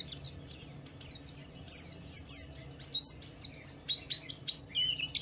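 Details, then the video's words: White-eye (Pleci Wiklus Wiksar) singing a vigorous 'ngalas' gacor song, used as a lure to provoke other white-eyes into singing; rapid high twittering chirps and downslurred whistles tumbling over one another without pause. "Suara burung Pleci Wiklus Wiksar memancing Pleci lain cepat cepat bunyi gacor"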